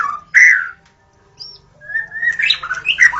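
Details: White-rumped shama singing at dawn, a recording used to lure shamas: a loud, rich whistled phrase, then a pause, then a run of varied warbled and whistled notes rising and falling.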